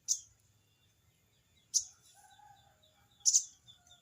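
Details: Sogon, or crested jay, calling out a rival with its 'cerecet' sound: three sharp, high, scratchy bursts spaced irregularly over four seconds, the last one doubled. A quiet steady high tone and soft low notes fill the gaps.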